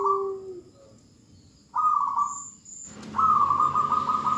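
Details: Female zebra dove call directed at a male: a low coo, then a buzzy trilled phrase, and after a pause a longer, steady rattling trill. One high chirp sounds in between.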